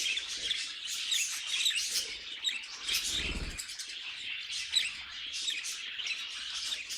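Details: Pet budgerigars, several birds, keep up a busy chattering warble of rapid chirps and squeaky notes, steady and overlapping, with a brief low thump near the middle.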